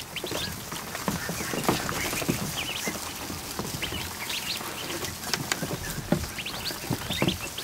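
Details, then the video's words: Over a hundred freshly hatched ducklings crowd a kiddie pool in a barn during the afternoon; dense overlapping high-pitched peeps, some short rising chirps, against continuous splashing and paddling. "An Afternoon With 100+ Ducklings In A Kiddie Pool"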